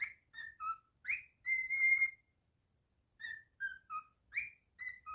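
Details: Cockatiel kept as a pet whistling a tune: upward slurred notes, a held steady whistle, then a pause followed by a descending three-note phrase and another rising slur.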